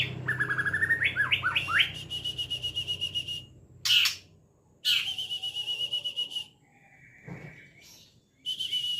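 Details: White-rumped shama in trotol song: quick rising and falling whistled phrases, then buzzy, rapidly pulsed stretches broken by short pauses and a few harsh clicks, with a low background hum.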